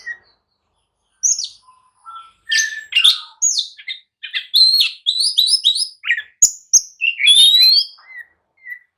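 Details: Oriental magpie-robin singing excitedly to goad others into answering and fighting: after a quiet start, a run of varied whistles, rapid chirps and buzzy notes, ending with soft whistled calls.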